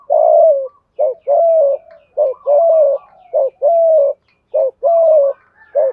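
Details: Steady series of spotted dove thúc gù coos in thổ voice, meant to excite decoy birds: five short-plus-long hooting pairs in a regular rhythm, each long coo level and mellow, without other sounds.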